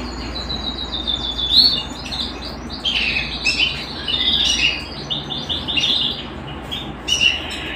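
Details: Canary song at home: bright rapid trills and rolling chirps in quick succession, with several louder accented phrases, against a faint steady hum.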